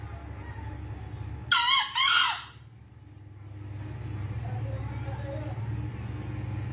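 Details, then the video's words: Green junglefowl calling while searching for its escaped female; a single hoarse, two-part crow, two quick rasping bursts together lasting about a second, rises over a steady low hum and then fades to quiet. "Mencari betinanya yang lepas//Ayam hutan hijau"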